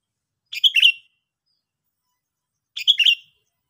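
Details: Sooty-headed bulbul giving two short bubbly, warbled phrases about two seconds apart, each a quick cluster of liquid notes ending in a slurred downward whistle; otherwise silent background.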